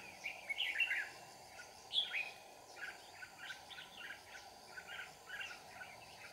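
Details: Red-whiskered bulbul song at a trapping spot in Kim Bôi, Hòa Bình, Vietnam. Two loud warbling bursts open the clip, then a run of softer, evenly spaced chirpy notes follows over a low continuous hum.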